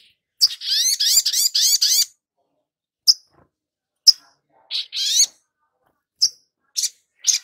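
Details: Lure recording of a long-billed spiderhunter, used to coax newly caught birds into song. A burst of rapid, rising, buzzy sweeps lasts over a second. Sharp high chips and short rasping notes follow at irregular intervals.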